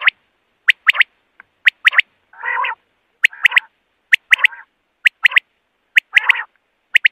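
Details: Common quail calling, presented as a night-time voice: sharp high whistled notes in quick groups of two or three, repeated about once a second, mixed with buzzy nasal bursts. No other sounds are clear.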